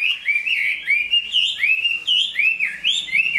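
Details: Chinese hwamei, big-bodied, singing and fighting well while finishing a new coat of feathers. Bright slurred whistles arc up and down in a steady chain of short phrases.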